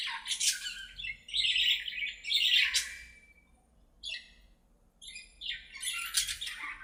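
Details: Aviary budgerigars talking to each other at play, with bursts of buzzy warbling and sharp squawks, a quieter gap midway, then a loud chattering burst again.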